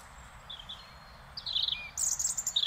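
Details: European robin singing in the Netherlands: thin, high warbled notes that start softly, then a brighter tumbling phrase of sliding whistles, ending in a burst of very high, sparkling trills.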